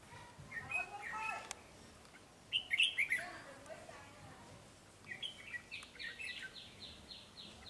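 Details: A caged, wild-caught red-whiskered bulbul sings quickly: a clustered burst of sharp, chirpy notes, then a run of evenly repeated descending notes near the end, over faint hiss.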